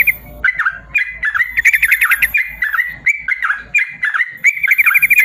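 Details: Yellow-vented bulbul, a long ropel song used to train lazy caged birds to sing: bubbling whistled phrases near one pitch, rapid chattering trills in the middle and end, with faint low knocking underneath.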